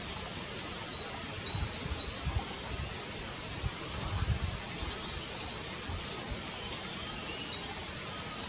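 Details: Himalayan Cutia building a nest gives two bursts of rapid, very high, thin chattering notes, the first about two seconds long, the second shorter, against a quiet, faintly rustling background.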